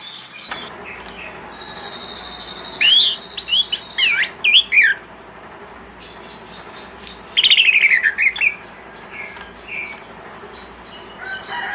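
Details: In the morning, an orange-headed thrush sings to lure other thrushes into answering. Two bursts of rapid, varied, squeaky and sweeping whistled phrases stand out over a constant low hum.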